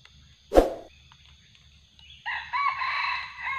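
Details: Junglefowl called in with a decoy during luring, the wild bird turning fiercer; a heavy thump, a quiet pause, then a harsh crow in two swelling phrases that stays loud to the end, with a faint low hum beneath.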